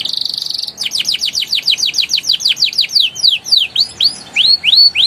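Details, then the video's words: Canary song played to prompt young canaries to sing: a brief buzzy trill, then a long run of loud rising whistled sweeps repeated about four times a second, slowing into separate upswept notes near the end. "PANCINGAN KENARI PAUD NGERIWIK NGEROLL GACOR EMOSI EFEKTIF UNTUK TERAPI KENARI MACET BUNYI"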